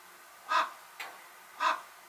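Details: Common raven (Corvus corax), call.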